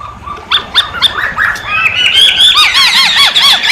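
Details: Masked laughingthrush, known as poksay hongkong, in vigorous gacor song. A crowded, accelerating stream of high chirps and squeaks builds into a dense run of arched whistled notes.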